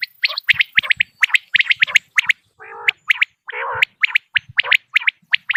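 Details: Quail calling in a hunting recording known in Dera Ghazi Khan: crisp, high, clipped notes in rapid runs and pairs, broken twice by short low gargling bursts.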